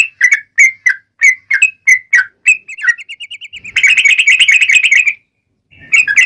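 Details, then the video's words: A yellow-vented bulbul's long, fighting-style song used as a lure for other bulbuls. Separate bubbly notes come first, then a thin rising trill, then a dense burst of rapid chatter. A short pause follows before the notes resume. "trucukan gacor TARUNG ROPEL PANJANG pancingan trucukan agar bunyi JADIKAN burung trucuk gacor NYAUT"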